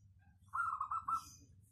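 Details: A single phrase from a local zebra dove with a crisp 'crystal' voice, kept as a lure bird. Five quick, rolling coos at an even pitch run together in under a second against a low background hum.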